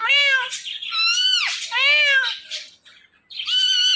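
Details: Talkative Indian ringneck parrot kept as a pet utters loud, harmonic, voice-like syllables in three bursts, rising and falling in pitch, with a brief silence before the last phrase.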